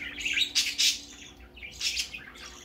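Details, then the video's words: Baby budgerigar out for the first time, making two clusters of bright, scratchy chirps separated by a brief quieter pause. "Baby parakeet first time go out"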